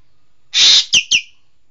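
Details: Green magpie (Cissa chinensis), known locally as engkek keling: a loud harsh rasping burst, followed quickly by two sharp, high, downslurred notes, in an otherwise quiet background.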